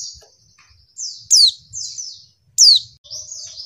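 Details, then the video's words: Provoking call of a female white-eye, meant to get males answering and singing. Short bursts of high twittering surround two loud, steeply falling chirps about a second apart. "pleci betina bikin jantan ngamuk"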